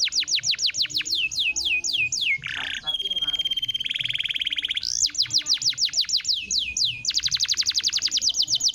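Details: Canary song used as a lure to get a silent canary singing again: rapid series of high descending whistled sweeps, a buzzy rolling trill and a sustained steady tone, then more fast repeated sweeps and a rattling trill.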